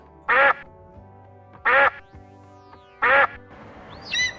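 A duck gives three loud, harsh quacks about one and a half seconds apart, over steady background music.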